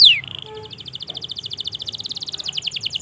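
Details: Canary in full long song, played to prompt silent canaries and youngsters to sing back: a quick downward sweep, then a steady, rapid, high trill of repeated notes carrying on without pause, slightly broken near the end.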